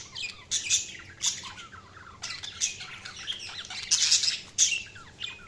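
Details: Budgies chatter continuously, with quick twittering chirps, buzzy rasps and short down-slurred whistles overlapping in a steady flock chorus.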